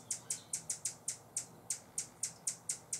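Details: Buff-bellied hummingbird warning while guarding a feeder in San Benito, Texas, late October: about a dozen sharp, very high chips, irregularly spaced, some in quick pairs, others separated by short pauses.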